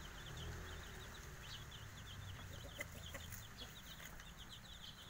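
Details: Javanese village chickens, chicks five days old, giving rapid strings of thin high cheeps, each a quick falling slur, packed closely together from several birds over a low rumbling background and a few sharp clicks.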